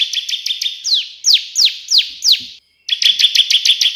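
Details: Bar-winged prinia singing vigorously in the 'tembakan' burst style, used as a tutor recording: rapid high chips, then four loud downslurred notes, a brief pause, and another fast run of sharp chips.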